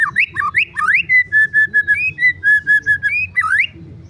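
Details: White-rumped shama singing: loud swooping whistles, then a run of short steady whistled notes repeated about once a second, and more rising slurred phrases, over a low background hum.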